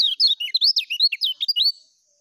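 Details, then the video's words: Full 'ngejos' song of the lemon-bellied white-eye (kecial kuning): a quick burst of high, warbling notes swooping up and down in close succession for about two seconds, ending in silence. "SUARA BURUNG KECIAL KUNING FUL NGEJOS"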